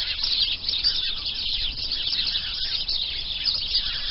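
Starlings keep up a dense, unbroken chatter of high wheezes, clicks and squeaky notes, many birds calling at once without pause.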